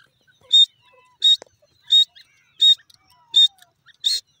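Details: Grey francolin, locally called Irani gora teetar: six sharp, high, clipped notes repeated evenly about every 0.7 seconds, with faint thin whistles from other birds in between.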